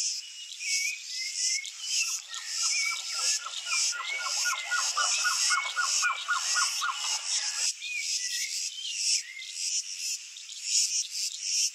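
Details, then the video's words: A blue-crowned trogon (Trogon curucui) sings a fast run of about twenty soft, even, mid-pitched notes lasting five seconds, over a steady insect buzz and chirps from other birds. "CANTO do SURUCUÁ-DE-BARRIGA-VERMELHA (TROGON CURUCUI) BLUE-CROWNED TROGON"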